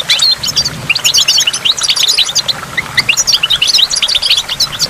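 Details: A goldfinch by a waterfall pours out a fast, tinkling twitter of bright, high chirps and trills that runs almost without pause, with running water and water drops faint beneath.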